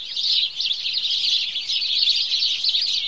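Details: House sparrows in a morning chorus, a thick wall of overlapping high chirps and chatter with no pauses, steady and loud throughout.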